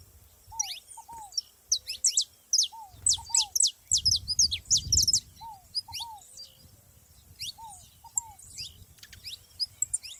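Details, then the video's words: In nature, saffron finches deliver scattered clusters of high, thin chirps and quick downslurred notes, separated by short pauses, while lower paired whistled notes repeat in the background over a faint low rumble. "canário da terra junto na natureza"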